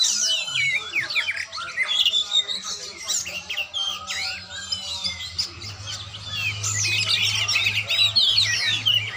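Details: Oriental magpie-robin being trained, delivering a loud, fast medley of high whistled sweeps, rapid trills and harsh chips with little pause, while a steady low hum rises underneath during the second half.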